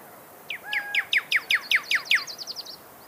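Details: Desert cardinal (Pyrrhuloxia) giving a series of about ten falling, slurred whistles in quick rhythm, followed by a thinner, higher fast trill; a level, sustained whistle runs beneath the opening notes.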